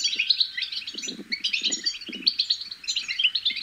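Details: European goldfinch chicks in a rapid babbling warble meant to encourage adult goldfinches to sing, high tinkling and buzzy notes tumbling together in short bursts, over repeated low muffled knocks.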